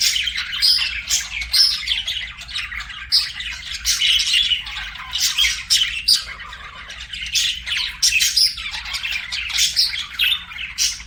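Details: Group of domestic budgerigars chirping and singing, with nonstop twittering chatter broken by sharp squawky notes and short pauses between loud bursts.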